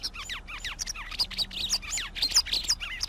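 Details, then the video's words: Rapid, rambling twitter from a white wagtail: bright chirps and up-and-down slurred whistles tumbling together in a continuous, busy stream. "Canto de la Lavandera Blanca"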